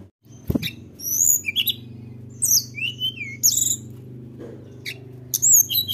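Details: Tledekan gunung singing to stir up rivals: scattered high whistled notes, upslurs and chirps in short phrases, with a knock at the start and a constant low hum.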